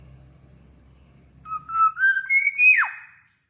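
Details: Black-naped oriole, described as a very vocal singer, gives a rising series of fluting whistled notes that climb in steps and end in a sharp downward slur; a steady high whine runs throughout and faint low hum sits underneath.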